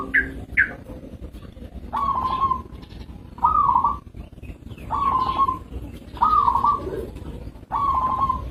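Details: Zebra dove, a local perkutut, cooing in a series of short vibrating rolled phrases about every one and a half seconds, each slightly rising then falling, after two brief higher notes at the start.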